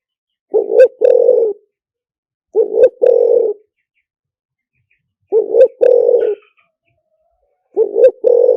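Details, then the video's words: Lure-calling spotted dove in liw tan style: four deep cooing phrases, each a brief note run into a longer purring croo, spaced by roughly two-second silences, clean with no other sounds. "เสียงต่อนกเขาใหญ่หมานๆ, เสียงนกเขาใหญ่ ต่อเข้าเร็ว เสียงหลิ่วตัน"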